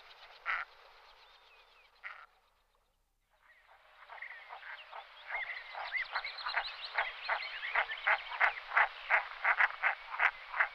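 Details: Common merganser calling: a few isolated harsh croaks, a brief pause, then a building run of rapid, rough, croaking notes repeated nearly three times a second amid a dense murmur of further calls.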